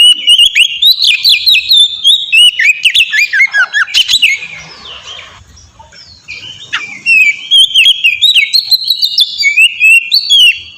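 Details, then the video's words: Oriental magpie-robin in ngeplong song for training other birds to sing: long stretches of quick varied whistles and chirps, broken midway by a softer harsh, scratchy section before the bright whistling resumes. "suara burung kacer ngeplong merdu sangat ampuh buat pancingan kacer bahan bikin cepat gacor"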